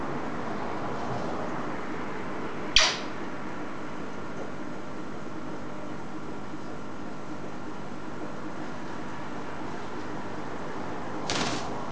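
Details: Steady indoor hum and hiss with two sharp clicks or knocks, and no animal voice.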